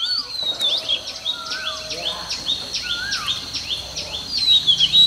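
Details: Female oriental magpie-robin song, played every morning to encourage males to sing: a steady series of soft, high, downward-slurred whistles repeated several times a second, with occasional lower sliding notes beneath a hiss of background noise.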